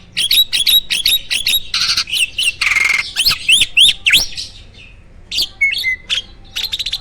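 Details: Captive starling singing vigorously with a full repertoire of varied phrases: rapid bursts of sharp upslurred whistles and clicks, a buzzy rasping passage, then slower scattered whistles and chips.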